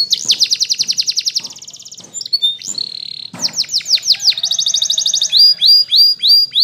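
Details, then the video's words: Morning song of a Spanish Timbrado canary, intended as a training song: loud rolling trills of fast repeated notes switching between tours, including a steady metallic tone and a run of clipped, evenly spaced chirps at the end. "Canary TIMBRADO Singing In The morning"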